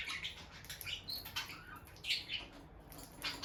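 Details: Bonded peach-faced lovebirds near the nest box, the female entering and leaving. Irregular short high chirps, about one a second, with quiet scratching and movement sounds underneath.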